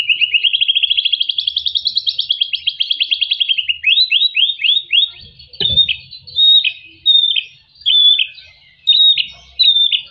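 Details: White-rumped shama song, used to coax quiet captive shamas into singing: a long, fast trill rising and then falling, followed by a string of clear, downslurred whistled notes repeated roughly every second, with a soft knock in the background.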